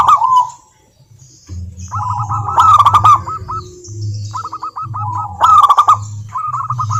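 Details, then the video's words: Zebra dove song from local wild birds, played to make reluctant doves answer: several short runs of rapid, evenly paced cooing notes separated by pauses, with a steady low hum. "Perkutut Malas Bunyi dijamin NYAUT GACOR LANGSUNG dengar pancingan masteran Kutut lokal ini"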